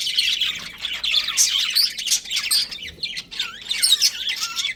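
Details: Breeding pair of pet budgies chattering: quick, twisting whistled notes and buzzy squeaks running together, with small pauses between phrases.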